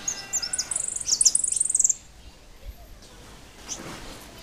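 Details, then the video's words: European goldfinch of the Blanco Pino line gives a high, rapid tinkling twitter of bright repeated notes for about two seconds, then falls quiet over faint background noise. "Jilguero Blanco Pino"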